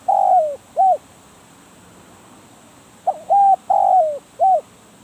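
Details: Spotted dove used for decoy trapping. The tail of one coo phrase opens the recording, then a full phrase follows after a pause: a short pickup note, a level coo, a long downward-trailing coo and a brief last coo.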